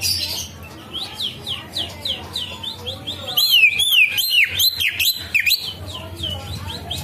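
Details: Green leafbird singing with imitated phrases: a string of clear, falling whistled notes, then a louder run of looping, swooping whistles between three and six seconds over low background hum.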